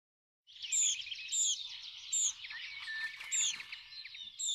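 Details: Tree Pipit song of high, clear notes repeated about every second over a dense, fast twittering background, all high-pitched with no low sounds.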